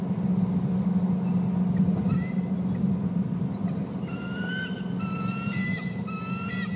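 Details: Eagles at the nest while eaglets are fed fish, both adults calling. Faint thin whistles early on, then a strong burst of high, clear, chattering notes in two rapid groups with bright overtones, over steady low hum.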